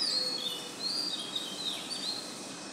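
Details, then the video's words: Oriental magpie-robin singing a new song at dawn, 05:02 am, on 12 June: a run of clear, high whistled phrases, some sliding downward, delivered in quick succession over a soft, steady background hiss. "Magpie robin sings a new song today"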